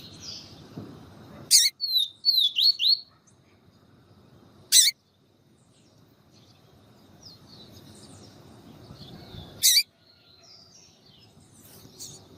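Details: Yellow-bellied seedeater with a female calling to excite him, giving a rapid string of high, sliding whistled notes after a sharp crackle, followed by further isolated crackles and faint thin notes.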